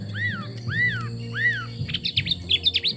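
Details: Chinese hwamei song opening with three long, arched whistles, each rising then falling, followed by a quick burst of sharp, twisting high notes, over a low steady hum.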